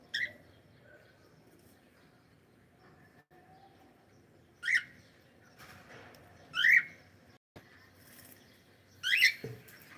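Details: Pet cockatiel giving three loud, harsh rising chirps, roughly two seconds apart, each with bright layered overtones, with short softer chirps between them over a quiet, low background hum.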